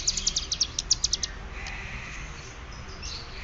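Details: Ciblek gunung from Cililin, learning the fluent ngeriwik bren style: a quick burst of about a dozen high clipped ticking notes in just over a second, then quieter hiss with faint distant chirps.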